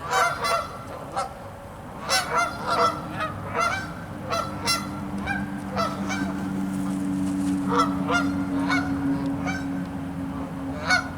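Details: Canada geese on a pond with ice spreading across the water, some lying and walking on the ice; repeated nasal honks, sometimes in quick pairs, over a steady low hum in the background.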